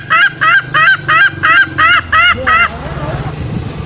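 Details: Green junglefowl lure call used to draw male junglefowl out of the forest for snaring: seven nasal, honking notes with a ringing overtone, about three per second, then a low rumbling background.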